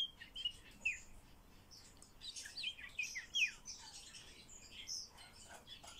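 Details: Common starling in talk training: scattered chirps, then a busy burst of squeaky, slurred whistles and clicks in the middle, easing back to sparse high notes.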